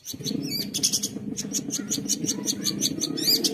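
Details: Long-tailed shrike in full, rich song used for provoking other shrikes and tutoring young ones; a run of short, sharp, high chirps repeated about every third of a second over a steady low background hum.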